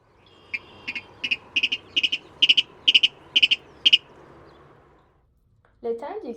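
A Virginia Rail gives about ten dry, sharp ticking notes at an uneven pace over four seconds, like an irregular turn signal; a voice follows at the end.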